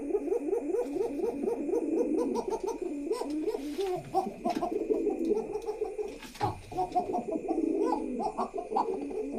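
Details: Pigeons housed in a pigeon house giving love coos: deep, rolling, repeated coo phrases that pause and resume, with faint clicks and bumps of movement around them indoors.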